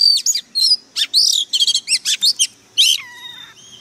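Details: A fired-up oriental magpie-robin sings a fast, varied burst of sharp whistles, trills and harsh chattering notes, ending in a long, lower whistle.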